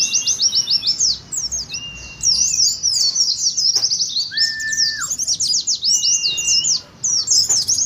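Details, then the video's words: Oriental white-eye in ngeriwik style, used as a lure to provoke caged birds to sing and as a contest simulation: dense, rapid, high twittering runs of sharp chirps nearly nonstop, broken by a few long, flat, clear whistles at lower pitch. "TERAPI PLECI NGERIWIK , PANCINGAN PLECI NGALAS"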